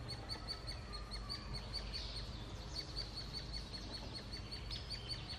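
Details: Hairy woodpecker nestlings close to fledging, being fed in the Snoqualmie Valley, keep up a steady run of high, squeaky chirps, several each second, over a low rumbling background.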